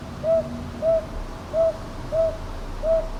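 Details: Northern boobook calling in Ichijoji, Sakyo Ward, Kyoto, Japan, on 22 May 2023, recorded with a TASCAM DR-100MKIII: five soft, low hoots spaced about two-thirds of a second apart, paired in uneven rhythm, over faint background hum.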